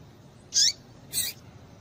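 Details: Female double-collared seedeater call, used to excite males into singing: two short, high chirps about 0.6 seconds apart, the second harsher and broader, over a quiet background hiss.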